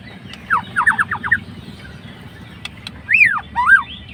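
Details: Murai batu or white-rumped shama, a fighter bird, singing to provoke a rival: a quick run of falling notes, then two loud arching whistles, over a low hum.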